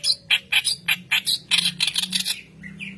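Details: Vigorous song of a white-browed reed warbler, recorded as a lure to train young birds: rasping, buzzy chatter notes in quick succession, ending with two softer, thinner notes and a faint low hum behind.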